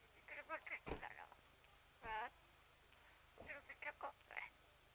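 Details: Parrot talking in Swedish: clipped, squeaky word-like syllables in small clusters, one drawn-out buzzy croak in the middle, recorded quietly indoors.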